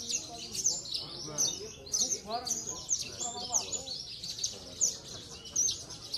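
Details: Contest-winning Javan bush lark from Cilacap, praised as very stable, gives a bright, rapid, high-pitched twittering song with loud bursts every second or so. Background voices murmur throughout.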